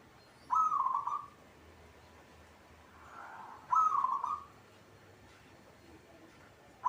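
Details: Local zebra dove in a cage, singing eagerly, with two fast trilled cooing phrases about three seconds apart and the start of a third at the very end. A soft murmur lies between them.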